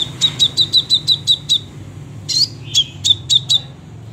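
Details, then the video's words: Crimson sunbird singing energetically: a quick row of seven clipped high chips, a short pause, then a rising squeaky note followed by four more sharp chips; soft low hum behind. "sepah raja gacor tembakan rapet"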